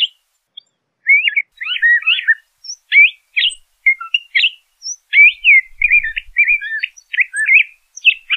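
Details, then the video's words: LeConte's thrasher song, a continuous medley of quick slurred whistles and chattering notes. Phrases follow closely with little repetition; no other birds are heard. "LeConte's Thrasher Song! LeConte's Thrasher Call - Cuitlacoche Pálido Canto"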